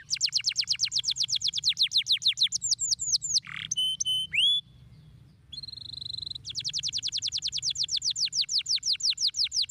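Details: Stimulating song of a canary, intended to get lazy canaries singing: long rapid rolls of sharp downslurred notes, a brief harsh note, ringing upsweeps, a buzzy trill, then more fast rolls.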